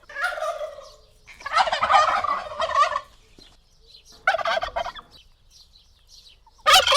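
A turkey gobbles in four bursts, each a rapid, rattling, descending warble lasting about a second, with short quiet gaps between them.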